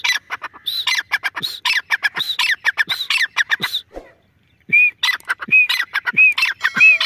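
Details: Grey francolin (teetar) calling: loud, rapid series of harsh clipped notes repeated over and over, a brief pause near the middle, then clearer rising-falling whistled notes resuming the rhythm.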